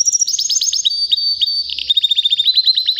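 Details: Powerful singing from a white canary about three years old: bright descending whistled notes in quick series, a brief held tone, then a rapid run of short falling chips.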